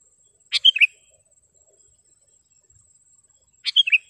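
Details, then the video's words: Sooty-headed bulbul singing sharply and clearly, for training caged birds and luring wild ones; two bubbly three-note phrases about three seconds apart, each ending in falling whistled notes, over a thin steady insect hum. "SUARA BURUNG KUTILANG GACOR TAJAM DAN JERNIH"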